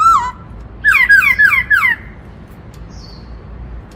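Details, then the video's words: White-browed laughingthrush in 'bắt cô trói cột' song style: one downslurred note, a pause, then four quick loud harsh descending notes run together in under a second, followed by quiet. "Khướu Hạc má Hót Giọng Bắt Cô Trói Cột Cực Hay"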